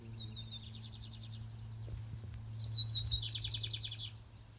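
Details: Lined seedeater singing in a contest: a thin whistled lead-in followed by a fast, rattling, high-pitched trill that swells and then fades, with a constant low hum behind.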